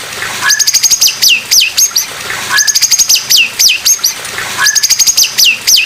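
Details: Oriental magpie-robin in 'pastol' style, recorded for tutoring other magpie-robins; the same phrase repeats about every two seconds: a short lower whistle, then a rapid run of very high sharp notes ending in a swooping downslurred whistle.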